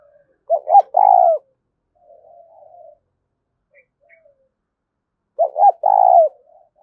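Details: Two cooing phrases from a spotted dove, 'thúc' style, about five seconds apart; each has two quick clipped coos and a longer falling coo, with faint soft calls between.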